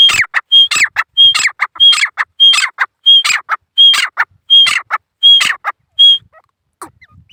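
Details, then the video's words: Male grey francolin in repeated loud calling. Harsh ringing phrases, each led by a thin steady whistle, come about every 0.7 seconds for six seconds, then the calling stops and near silence follows. "Gora teetar birds /boli awaaz"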